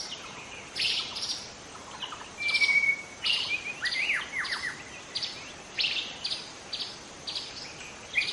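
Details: Wild young White-rumped shama in forest delivering scratchy, clipped notes repeated at irregular intervals, with a brief level whistle and a few downward-sweeping notes midway.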